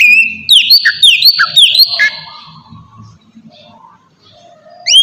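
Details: Oriental magpie-robin song aimed at provoking other birds: a run of repeated downward-sweeping whistles for two seconds, then near silence with faint low hum and a final rising note.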